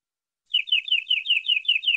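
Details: Local canary of forest origin giving full-isian song with ornate cengkok phrasing: after a pause, a fast run of high, falling slurred notes repeated evenly, slightly rough and continuous.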